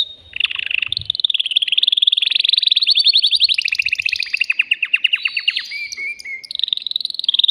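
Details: Caged male canary in an agitated state, singing to stir a female to mate. A loud, nearly unbroken stream of rolling trills shifts speed and pitch, with rapid descending note series and brighter whistled rolls, lasting about seven seconds.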